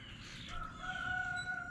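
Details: Neighbour's rooster (chicken) in central Arkansas crows in the distance on a sunny day with melting snow on the ground: a drawn-out, slightly wavering note held over a second, over a low outdoor rumble.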